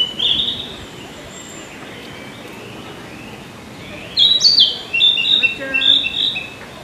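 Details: Narcissus Flycatcher singing in Tokyo, Japan, in June 2019: a high whistled note, a quiet gap, then a burst of quick clear warbled and trilled phrases.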